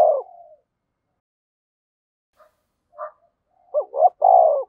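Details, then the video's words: Calling coo of a spotted dove kept as a decoy, 'thổ sấm' voice style. A trailing coo tail, a few faint soft notes, then one clear low phrase of two short notes and a longer hoarse roll. "chim cu gáy thúc và gáy gọi cực đỉnh, chim cu gay kich boi nhanh noi"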